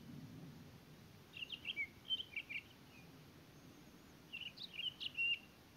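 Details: Townsend's solitaire at Elena Gallegos: two bursts of quick, varied, high warbled and squeaky notes, each lasting about a second, separated by a pause, over faint steady background noise.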